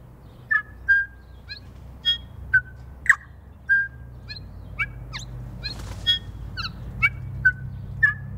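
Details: Bellbirds feeding in snow on the first day of spring, giving clear, short, bell-like notes and quick upward-swept whistles, roughly two per second, with one brief noisy rustle midway and a low background rumble.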